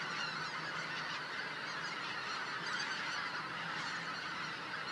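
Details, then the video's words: Greater white-fronted geese in a flock of several thousand crossing the sky at sunset over Cosumnes River Preserve; constant massed high-pitched honks and yelps blend into a thick, unbroken roar of calls. "Thousands of White Fronted Geese Passing Overhead at Sunset"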